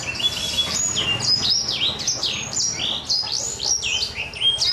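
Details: Four-month-old black-throated canary singing with a rough yet crisp, crunchy voice described as "kriuk-kriuk": a rapid, continuous stream of high, sharply swooping and slurred notes with short clear whistles, the phrases running on without pause.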